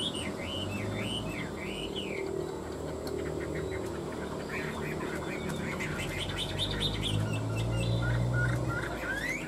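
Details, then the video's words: Two tame Chinese hwameis, caged for three years, in competitive singing: a run of loud slurred whistles opens, then sharp rapid repeated notes later on, over steady low rumbling background noise and scattered clicks. "Họa mi hót đấu cánh đuôi đẹp - 2 em thuần 3 năm lồng"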